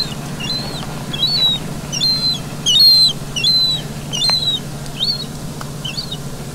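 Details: Urban gull chick being fed in Vannes, Brittany, recorded 17 August 2022: repeated piping whistles, high and thin, roughly one per second, some louder and sharper, with faint clicks and a steady low hum behind.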